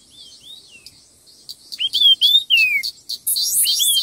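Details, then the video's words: Red-tailed minla singing fast in a contest: soft slurred whistles, then a loud four-note whistled phrase ending in a falling slide, followed by a harsh buzzy rattle. "Tiếng chim khướu lùn đuôi đỏ hót đấu kích nhanh căng lửa"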